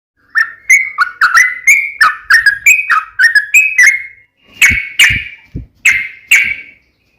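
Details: Sooty-headed bulbul in full fighting-style song (tarung, uplik ropel): loud, short fluty phrases of bubbly, slurred whistles. Notes come in quick groups, then a pause before several sharp separate notes. No other sounds.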